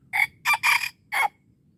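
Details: Wild red junglefowl being lured in Darul Kamal, Aceh: a brisk four-part crow, hoarse and strident, with a brief gap before the final syllable, then silence.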